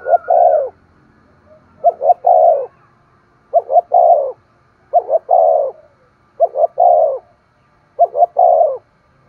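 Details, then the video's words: Spotted dove song to urge other doves to coo and call: six low phrases about every one and a half seconds, each a double short note and then a long, falling coo. "Tiếng chim cu gáy kích bổi hiệu quả mỗi ngày, thúc gù và gáy gọi"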